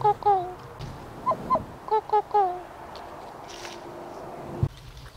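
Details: An injured kokako kept in captivity gives short, hollow, organ-like notes in quick pairs and triplets that echo its own name, over a low background hum.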